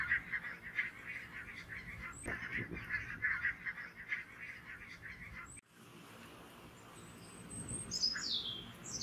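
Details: A flock of grazing barnacle geese on full alert as two red foxes close in gives a dense, overlapping chorus of short yapping calls. After an abrupt break the calling fades, and a few thin, high whistles are heard.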